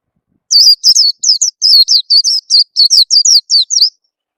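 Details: Oriental white-eye lure call, played to get kept birds singing quickly: a rapid series of about fourteen high, thin, downslurred chirps, each sharply wavering, packed closely over three and a half seconds with no other sounds.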